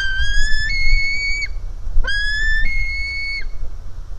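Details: Hungry White-tailed Eagle young at the nest: two long whistled wails, each stepping up in pitch partway through then dropping sharply at the end, over faint low background noise.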